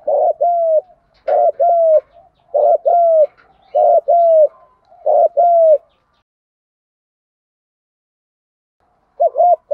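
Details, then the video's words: Spotted dove voicing the thúc gù pattern to rouse decoy birds: five rapid double coos, brief husky note plus falling hoot, then several seconds of silence before another pair begins. "tiếng chim cu gáy kích bổi. giọng thúc gù"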